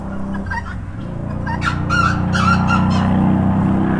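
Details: Rooster uttering short clucks that build into loud, rapid, harsh bursts, against a continuous low humming background.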